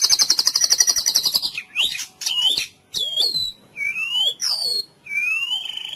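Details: White-rumped shama song from a therapy recording for mute, sluggish shamas: a fast high trill gives way to clear, spaced whistled phrases, several rising slurs and sharp downward sweeps.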